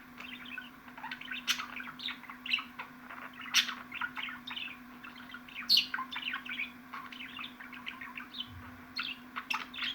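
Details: Budgerigar chatter from a long track aimed at getting caged budgies excited: continuous warbled twitter with frequent sharp squeaks and clicks, steady background hum.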